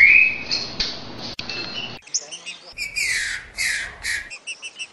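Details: "60 boi" song of a green-winged saltator, trinca-ferro, a style for teaching young birds: broad, downslurred whistled phrases, then short repeated high notes, over faint background noise.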